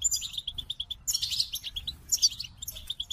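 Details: Singing goldfinch opens with a rapid series of evenly spaced short chips, then bursts into bright, jangling twittered phrases mixed with more chips.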